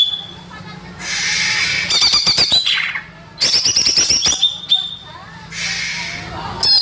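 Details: Greater green leafbird song used as a lure for young birds: bright, high whistled phrases and rapid buzzy chattering bursts alternating with short pauses, some sliding notes near the end.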